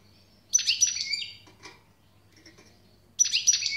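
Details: European goldfinch singing two separate bursts of high, scratchy twittering with tinkling notes, split by nearly two seconds of quiet with only faint soft sounds and a low steady hum.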